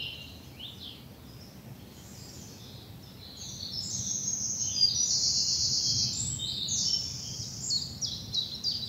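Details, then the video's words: Birds singing in early morning spring in a bluebell wood in the South of England, dappled sunlight; a mix of high twittering and trilled phrases swelling midway, several overlapping singers with faint low background hum. "Birdsong and bluebells in the morning sun"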